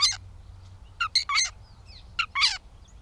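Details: Gray catbird, Bowdoinham, Maine, 16 May 2020, producing grating, chattering notes in quick pairs, with a pause between bursts and faint slurred squeaks in between, over a low steady drone.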